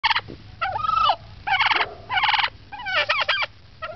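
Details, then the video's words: Turkey recorded in 2006, vocalizing as if telling a story: bursts of rapid, rattling gobble notes mixed with downward-sliding yelps and clucks, separated by short pauses, with a faint low hum underneath. "Turkey Talking"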